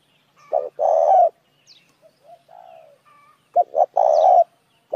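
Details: Spotted dove calling as a lure for other doves: phrases of two short notes then a long buzzy rough coo near mid pitch, with a softer quiet coo between, twice in the span.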